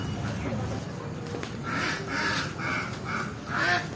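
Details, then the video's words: Several native ducks moving through water give harsh, nasal quacks in short bursts, a few calls then a pause, over a steady murmur of background noise. "Many beautiful native ducks are running in the water and calling pack pack"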